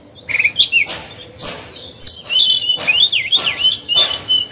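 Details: Captive oriental magpie-robin singing as a decoy to stir other birds: wavering high whistled phrases with V-shaped slurs, separated by sharp click notes roughly once a second.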